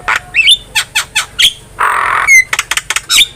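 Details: Master-recording Javan myna song for training cage birds: a rhythmic series of raspy squawks, a long harsh hiss, then a sharp whistle and quick clicking notes.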